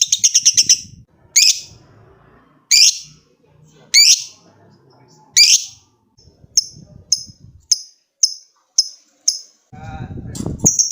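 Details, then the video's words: Lovebird calling a rival. Several loud, harsh high squawks are spaced about a second apart, followed by a run of short, thin chips and a brief low thump. "Suara burung lovebird ngekek panjang | Memanggil lawan"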